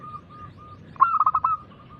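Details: Local zebra dove with a loud, big song, meant to draw other doves into singing: soft, even coo notes, then one sudden loud burst of rapidly pulsed rolling coos that trails back into quiet cooing.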